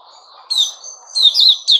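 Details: White-rumped shama, "sing buka" song, 29 August 2021: a short loud whistled phrase, a thin sustained note, then rich warbling notes, all over a faint low hum.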